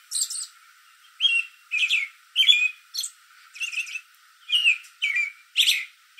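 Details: Backyard American robin singing in a tree at evening, with other robins calling around: a steady run of short whistled, warbling phrases about two per second, some high squeaky notes mixed in.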